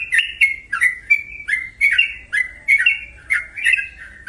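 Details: Sooty-headed bulbul singing: loud, rich, bubbling phrases that dip and rise, each ending in a sharp, high note, about every half second, with a low steady hum underneath.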